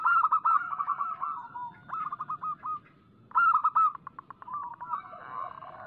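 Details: Local zebra dove in full song, used as a lure to make doves sing: bursts of quick, rolling, stuttered coos repeated in phrases, with brief pauses and a drawn-out final note.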